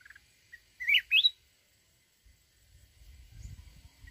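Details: Red-whiskered bulbul of the mountains singing its forest song. A short chirp, then two loud, rising, looping warbled notes, followed by quiet and a low rumbling background.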